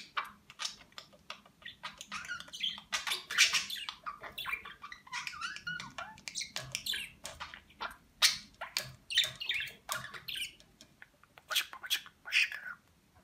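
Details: A pet budgerigar from Rize, 2020, chatters while learning Turkish words including 'Babacık Babacık Aşkım'. Quiet, rapid, scratchy warbling runs continuously with brief louder squeaks over a faint room hum.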